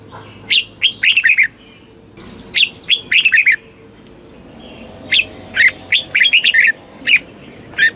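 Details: Red-whiskered bulbul song of the southern master style, played to excite caged birds and teach young birds: three bursts of quick whistled, warbling notes in clustered phrases, separated by short pauses.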